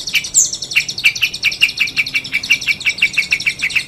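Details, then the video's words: Long-tailed shrike singing 'gacor' style: a steady stream of quick, sharp chirps, roughly four per second, over a buzzy high background. "Suara Burung Cendet | Gacor"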